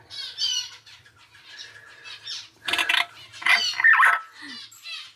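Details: Young captive common hill myna, three months old, sex undetermined, still unable to mimic speech, makes scattered high squeaky notes and then loud, harsh, broadband squawks in two bursts near the middle and end, with quiet indoor hum behind.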